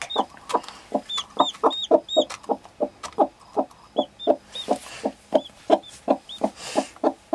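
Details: Laying hen with her newborn chick: low soft clucks repeated in a steady rhythm several times a second, while the chick gives high, thin, arched peeps above them, with a brief rustle midway.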